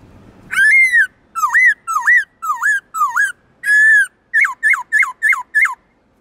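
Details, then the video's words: A black-throated laughingthrush sings loud, rich, varied whistled notes that dip and rise, first in longer slurred phrases, then five quick repeated swooping notes; the song is used to stimulate newly caught laughingthrushes into singing. "Khướu bạc má hót nhiều giọng"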